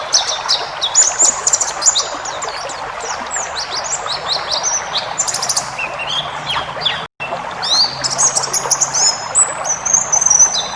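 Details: Caged-bird training recording of White-eye song in the wild 'ngalas' style with full fill-ins: dense, fast high twittering and sharp chips, a brief silent break partway, then the chatter resumes.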